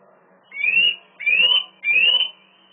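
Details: Eurasian nuthatch luring a female on 27 March 2018 around 16:09, after trying to nest in a swift box beside a loggia before swifts drove it off; three loud, clear rising whistles, about half a second each, evenly spaced over faint low hum.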